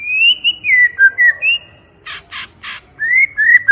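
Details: White-rumped shama singing a loud, clear lure song: gliding whistled phrases, three harsh rasping bursts in the middle, then rising whistles again.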